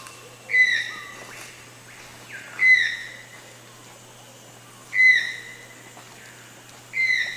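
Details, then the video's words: Toucan calling: a loud, harmonic call at a steady pitch, repeated about every two to two and a half seconds, with faint higher tones above each note and a quiet background. "Som do tucano. Tucano cantando..."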